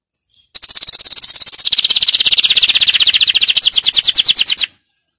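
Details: Canary song recorded for teaching young birds, a single rapid trill of high sharp notes repeated about three times a second, sliding slightly lower over four seconds, then stopping cleanly.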